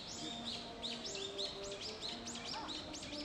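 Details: Japanese pygmy woodpecker chicks being fed in 2015 keep up a busy chorus of high, arched chirps, several each second and overlapping, over a faint low hum.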